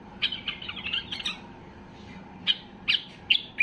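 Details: Basra bulbul, known as white-eared bulbul, in highly excited song aimed at rousing other bulbuls: a fast jumbled warble, a short pause, then four separate emphatic notes.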